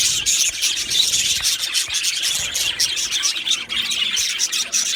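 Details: Aviary colony of Australian budgerigars, July 2025: steady, rasping twitter from many birds overlapping into a thick, unbroken wall of high chirps and chatter.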